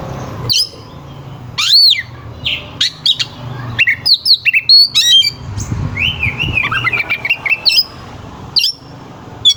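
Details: Oriental magpie-robin in vigorous song, its coarse, sharp fill phrases used to stir rival birds into singing. Looping arched whistles, clipped chips and a wavering trill-like run fill the recording, with faint background hum.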